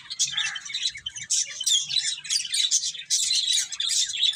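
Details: Several finches chirping while eating: a dense, continuous chatter of high, bright chirps and short twittering notes, overlapping and repeated rapidly throughout, with faint low knocks of pecking underneath.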